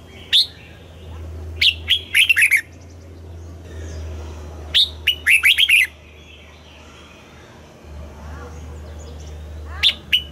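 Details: Red-whiskered bulbul morning song in double-note style, played to train birds to sing: three short bursts of quick warbled, chirping notes, spaced a few seconds apart, over a steady low hum.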